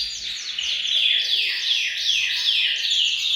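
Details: Group of canaries in a bird room singing to encourage males to sing; many overlapping fast descending trills and twitters blend into a loud, unbroken chorus.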